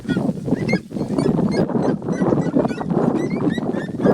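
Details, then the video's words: Three red-legged seriemas calling while sunbathing free in the wild: a chorus of sharp, yelping notes repeated in quick bursts, partly masked by a steady low rumble of background noise. "Lindas seriemas vocalizando (TRIO)"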